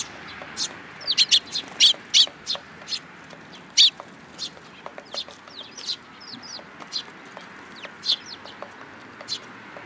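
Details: A group of sparrows arriving for food at a Tenmangu shrine, 8 July 2022; busy burst of loud chirps early, then scattered softer cheeps and thin rising notes.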